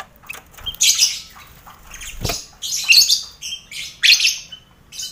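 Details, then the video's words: Colony lovebirds sharing an aviary with finches and quail, recorded as mental training for competition birds; rough, screechy call bursts about once a second with a low thump in between. "Sound Koloni Lovebird"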